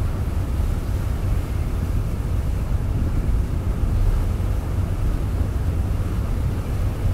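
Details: Steady wind buffeting the microphone over a low, continuous roar of surf, with no animal voices.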